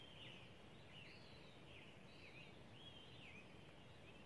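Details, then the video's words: Birds singing at dawn in Wolfeboro on 23 June 2016, just after 5 a.m.; thin, warbling high phrases repeat about once a second, faint against a steady low rumble of background noise. "Wolfeboro Sounds: Birds at Dawn"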